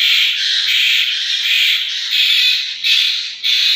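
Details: Asian koel chicks giving loud, harsh, hissing squawks, each drawn out and rasping, repeated almost without pause.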